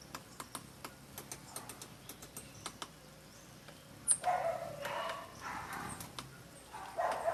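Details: Woodpecker pecking wood: a quick series of sharp, dry knocks, loosely spaced over the first three seconds, then louder, harsher broad sounds from another animal take over.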